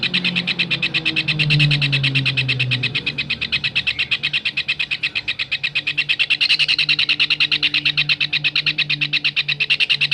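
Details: Kingfisher used as training audio for songbirds: quick, repeated shrill notes, close to three per second, running steadily for the whole stretch, with a low gliding drone underneath.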